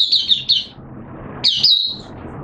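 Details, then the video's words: Caged oriental white-eye on its second deworming day, September 2022, uttering two short high twitters, then after a pause a longer thin phrase that ends in a drawn-out sweet note. "Mata Puteh T Rex Buka Sing"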